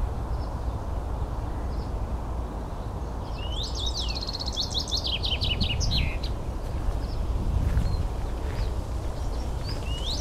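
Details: Common rosefinch in Espoo, Finland, on 9 June 2015: a short phrase of slurred, rising whistles followed by a quick run of high notes, then a lone rising whistle near the end, over a steady low rumble of background noise.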